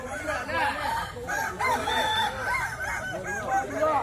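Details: Kukuak Balenggek roosters at a crowing contest in West Sumatra. Many overlapping crows arch and waver together in a dense, continuous chorus of rising-then-falling notes, with no pause across the clip.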